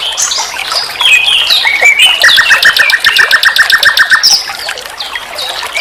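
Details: Master recording of common nightingale song for songbird training: varied slurred whistles give way to a fast, regular string of about fifteen clipped repeated notes, ending in softer chatter.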